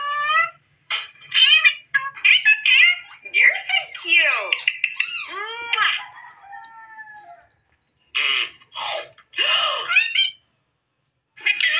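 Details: Green desi parrot at play in front of a mirror keeps up varied chatter: arched squawks, slurred whistles and harsh bursts, separated by short silences.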